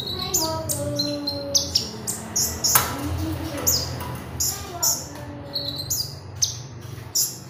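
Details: Magpie robin singing actively, recorded as a lure and master sound for training birds: sharp high chirps and short buzzy notes in quick bursts, over a low steady hum and faint lower tones.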